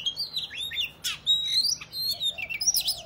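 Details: Male-provoking fighting song of an Oriental magpie-robin, used to make rival birds display and fan their tails: bright whistled phrases, one loud harsh rasping burst, then more rising whistles and quick high notes.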